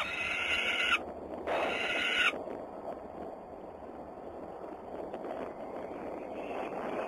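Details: Peregrine falcons at Włocławek, Poland, on a Sunday afternoon, 6 June 2010: two drawn-out, harsh, harmonic wails near the start, followed by several seconds of faint background noise.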